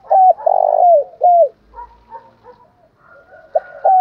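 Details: Cooing of a spotted dove used to rile rival males: a loud opening phrase of three low, bent hoots, then quieter murmured notes and a final pair of strong hoots.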